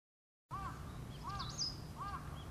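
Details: Female red-flanked bluetail, a bird that holds a solitary territory outside the breeding season: three soft, arched low notes spaced about 0.7 seconds apart, with a thin, higher upslurred note between them, over a steady low rumble.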